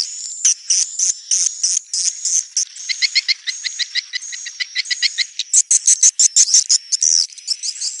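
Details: Neutral sound of swiftlets: clipped, buzzy chirps, about three per second, some with a doubled, ringing quality, over a thin high whistle.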